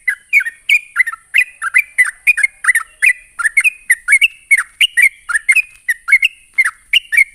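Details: Rapid 'ropelan' song of a sooty-headed bulbul, meant to provoke other bulbuls to reply: a dense unbroken chain of loud, clear whistled notes, each dipping and rising, about three per second, with a faint steady high-pitched hiss.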